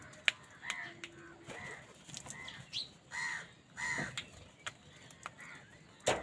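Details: Crows squabbling with wild birds over food, calling in anger: a run of short harsh caws spaced across six seconds, with sharp clicks and knocks between them and outdoor background noise.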